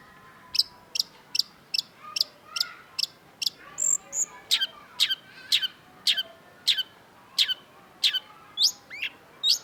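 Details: Long-tailed shrike singing a series of sharp, downward-sweeping high notes repeated about twice a second, broken once by a brief squeaky twitter, then continuing with emphatic slurred whistles.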